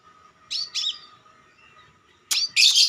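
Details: Crimson sunbird used as a lure to attract birds: a few sharp high chirps, two near the start and a louder burst near the end, over a steady faint hum.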